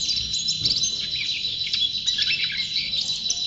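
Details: A champion white-eye sings steadily, its high, thin notes tumbling together into a fast, unbroken twittering chatter.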